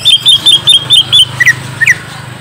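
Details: Lure song of the greater green leafbird, meant to draw a reply from a young bird: quick repeated sharp whistled notes followed by two lower slurred whistles.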